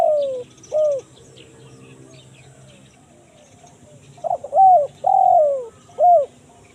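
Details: Spotted dove calling in the kuk 1 mersik style, a lure for wild forest birds: a falling coo opens the phrase, then a quiet pause, then a stuttered intro and two drawn-out, slurred coos with a short final note.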